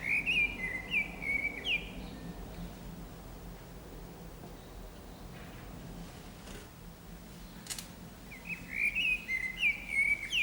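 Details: Singing common blackbird on a town antenna in Zamudio, Bizkaia, 18 April 2019: rich warbled whistled phrase at the start, a long quiet pause with a couple of clicks, then another fluting phrase toward the end.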